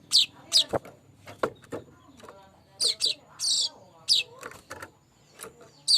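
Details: Streaked weaver lure song made of irregular sharp squeaks and buzzy chatter, with one longer wheezy note and scattered quieter clicks.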